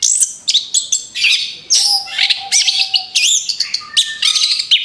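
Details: Rapid, varied orange-headed thrush song played as a lure for other birds, with bursts of high whistled phrases, rising and falling slurs and clipped chirps in quick succession, plus a faint steady tone.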